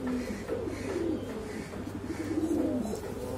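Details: Boom call from Exhibition Homer and Shiraji domestic pigeons: a series of soft, low cooing phrases that swell and then dip, with a constant background hum underneath.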